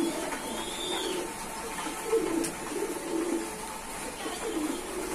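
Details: Quieter, low, gurgling coos from captive pigeons, several birds overlapping, with a sharp click and faint background noise.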